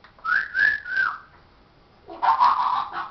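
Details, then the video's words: A parrot talks in two bursts: first three smooth whistled, voice-like syllables in a gentle rise and fall, then after a pause a denser, rougher run of speech-like sounds. "parrots says hello darling show us your"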